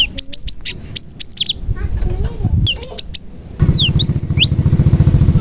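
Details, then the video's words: Song of a cinereous tit that mimics prinia phrases, played as a lure for other tits. High rapid chirp clusters alternate with sweeping falling whistles, against a loud low throbbing noise in the second half. "BURUNG GELATIK GACOR ISIAN PRENJAK • AMPUH MEMANCING BURUNG GELATIK LAIN AGAR CEPAT GACOR"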